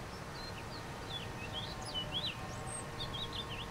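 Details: A house finch perched on a rose arch in the Rose Garden at McGovern Centennial Gardens, Hermann Park, Houston, Texas, USA sings a fast, jumbled warble of high, sliding notes with twisting upswept phrases over a soft steady hum.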